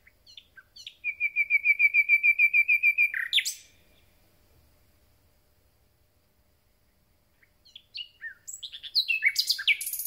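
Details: Recently arrived common nightingale in song: a steady run of about fifteen loud, evenly repeated whistled notes, a pause of several seconds, then a new phrase of quick chirps and buzzy high notes.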